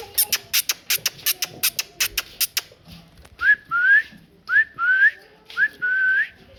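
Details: Fast run of sharp dry clicks opens, followed by a parrot's rising whistled notes repeated about once a second, some drawn out longer.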